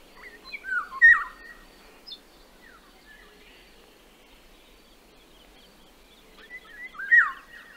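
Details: A Eurasian Golden Oriole in Central Russia gives two rich, fluting phrases that slur downward, about six seconds apart, with quiet background hiss between them.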